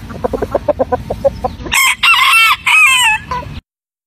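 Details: Rooster crowing in a compilation of crows from various countries: a run of rapid clucks first, then a loud, strained, broken crow in three rising and falling segments before ending abruptly.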